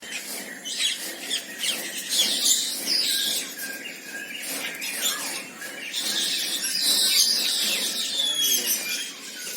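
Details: Red-breasted parakeets (Psittacula alexandri) chatter in a dense, overlapping chorus of shrill, harsh squeals and screeches, calling many times a second with no steady rhythm.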